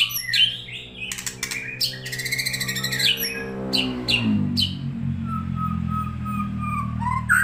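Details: White-rumped shama song from Kajen, Pekalongan: loud varied whistles, sharp staccato notes and rattling bursts in the first half, then softer scattered whistles, over a sustained low droning, music-like tone.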